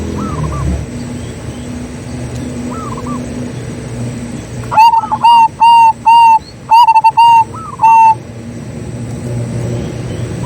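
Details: Zebra dove song used as a lure to make other doves sing: faint distant coos at first, then a loud run of level ringing notes with short stuttered bursts between them over a low background hum.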